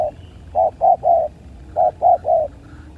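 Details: ['Spotted dove calling during a fight: two bursts of three low, hollow coos, the last of each set longer and drawn out, about a second apart, over a faint low background rumble.']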